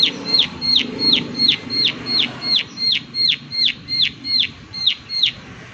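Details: Insistent, regular high-pitched clicking from a prinia, each tick a quick downward slur, around thirteen notes before fading, with a low murmur of background sound early on.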